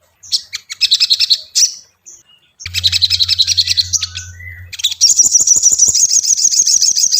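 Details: Lure song of ashy tailorbird for training a caged bird: clipped high chirps, then a buzzy trill over a low electrical hum, ending in a continuous rapid shrill rattle.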